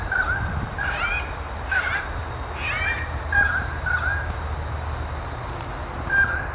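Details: Currawong pair defending their nest from a tree-climbing lace monitor in Royal National Park, south of Sydney; loud, harsh, caw-like calls with rising sweeps, repeated roughly every second, mixed with short clear notes, over steady low background hum.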